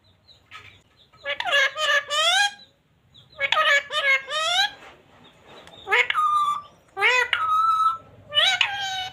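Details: Pet parrot talking happily: bursts of harsh, speech-like syllables with rising and falling tones, grouped in short phrases separated by pauses, ending in higher squeaky notes.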